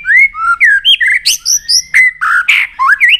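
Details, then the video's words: Trained white-rumped shama delivering excited many-voiced song: loud rising and falling whistles, rich slurred notes and harsh buzzy bursts, each phrase about a quarter second, with no pause between them. "Kích Chòe lửa Lên Lửa, hót nhiều, chòe lửa đánh đuôi kích cực nhạy.luyện chòe lửa hót nhiều giọng"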